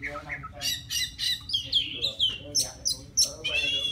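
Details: White-rumped shama singing to call a female: a rapid run of varied loud whistles and harsh squeaky notes, some sliding down, others rising, phrases following each other without pause over a steady low hum.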